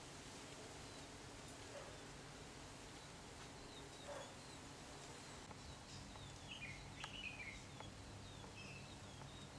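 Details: Silvereyes (Zosterops lateralis) in a backyard give a few thin, high chirps, clustered near the seventh second, over a steady hiss of outdoor background noise and low hum.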